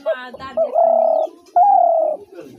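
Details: A short burst of rich nasal harmonics, then a spotted dove delivers two long, smooth, slightly descending coos separated by a brief pause, with soft low cooing underneath.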